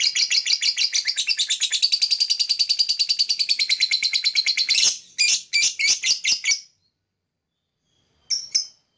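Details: Lovebird singing in rapid shrill chatter for about five seconds, breaking into separate harsh chirps, a pause, then two final chirps, offered as a bird whistle training sound.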